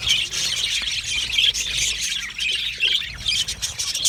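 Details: Australian budgies in steady chattering song, many overlapping high squeaks, buzzy chirps and brief whistled notes packed together without pause, over a quiet low hum.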